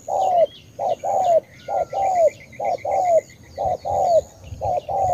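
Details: Vietnamese spotted dove (cu gáy) from Cà Mau cooing: a short double note then a longer falling slurred coo, phrase repeated about once a second; faint high chirps of other small birds behind.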